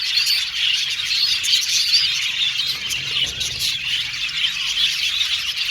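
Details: Budgie colony in an aviary, a busy chorus of high squeaky chirps and harsh short squawks, the chatter pulsing about twice a second.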